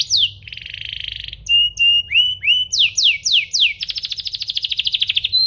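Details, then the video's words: Domestic canary song used to spur other canaries to sing, with a buzzy trill, clear whistled notes, a run of steep downward-sweeping whistles and a rapid rattling trill at the end. "Pancingan kenari biar gacor"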